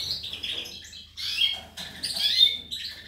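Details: Goldfinch song from 19 May 2018: two bursts of liquid twittering with sweet high slurred notes and a short buzzy trill, separated by a brief pause.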